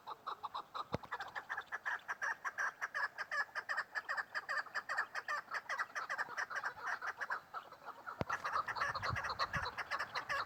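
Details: Female chukar partridge delivering a long, continuous series of rapid, harsh chuk notes, around two and a half per second, with two sharp clicks along the way.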